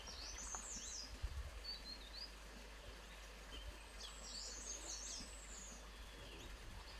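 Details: Grey-headed canary-flycatcher recorded at Motidhar, giving high, thin, squeaky sweeps in two short bursts, with softer twittering notes between, against constant low-pitched environmental hum.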